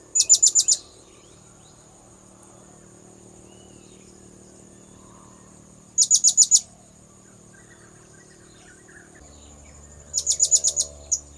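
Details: Blue-crowned hanging parrot lure calls repeated three times, each a rapid burst of five to six piercing high notes, spaced about five seconds apart, over a low steady hum.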